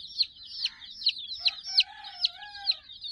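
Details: Domestic chicken chicks, part of a flock of about sixty playing with a toy teddy, make loud, sharp peeps roughly every half second over a steady high chorus, along with a faint, drawn-out tone.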